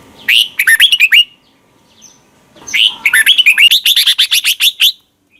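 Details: Red-whiskered bulbul from Thailand singing a doubled training song, played each morning so young birds learn to copy it: two bursts of rapid, warbled, rising-and-falling notes, the second longer, separated by a quiet gap.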